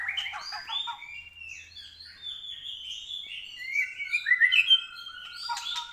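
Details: White-rumped shama on a training track, still short of full emotion, delivering a fast flowing medley of high chirps, slurred whistles and rapid twittering notes that grows louder toward the end.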